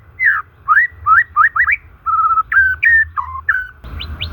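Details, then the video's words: Clear, varied whistling from a white-rumped shama, natural song meant to stimulate shamas that are stuck or stressed: smooth rising and falling whistled phrases with brief pauses, ending with two high upslurred notes over a low rumble. "Suara alami murai batu ini SANGAT COCOK untuk pemikat murai MACET dan SETRES"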